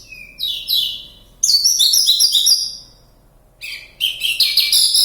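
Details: Wild Javan bush lark singing vigorously near Kediri, Java: bursts of rapid, high, scratchy twittering phrases with rising and falling slurred notes, a short quiet gap mid-way, then another busy phrase; no other clear sounds.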